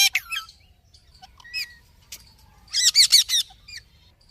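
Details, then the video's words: Australian parrots give sharp, high chirps and squawky, warbling notes, with a dense burst of rapid chattering near the end. "Australian parrots natural sounds"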